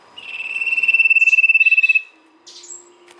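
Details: Lure song of a sirtu: one swelling, fast, evenly pulsed trill of about two seconds, then a couple of soft high notes.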